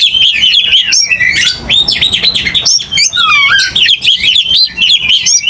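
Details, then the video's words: Captive Oriental magpie-robin in aggressive fighting song: dense, loud stream of varied whistled notes, quick chirps and sliding phrases, with a few lower falling whistles mixed in and no pauses. "AGRESIF!!! KICAU KACER TARUNG NGOTOR"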